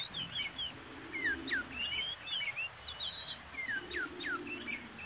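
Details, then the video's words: Sooty-headed bulbul, known locally as kutilang or cangkurileung, recorded near a home: clear whistled slurs, some falling steeply and others rising, given in loose succession with brief gaps, over steady hiss and a soft low rumble. "SUARA BURUNG KUTILANG, CANGKURILEUNG | SOOTY HEADED BULBUL SOUNDS"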